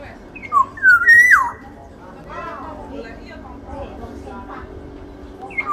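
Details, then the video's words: Black-naped Oriole from Sumbawa, described as large-bodied, opens with a fluty phrase of short whistles ending in a level tone that drops sharply, followed by softer chattering and voice-like sounds and another whistle starting at the end. "Siulan kepodang sumbawa body besar"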